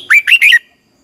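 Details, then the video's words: Red-whiskered bulbul singing, a brisk burst of three rich, warbled whistles in about half a second, bouncing up and down, then silence. "chào mào hót hay, Giọng xoắn tít"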